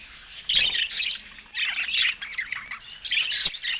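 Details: Budgerigars kept in a cage, attacking a camera. Three clusters of harsh, squawky chirps and warbles, each about a second long, with quieter pauses between them.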